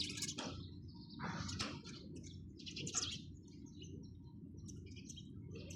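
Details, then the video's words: Several sparrows chirp in loud clipped bursts early on, then quieter high twitters trail off, with low continuous rumble underneath. "চড়ুই পাখির কিচিরমিচির শব্দ Chirping sound of sparrows"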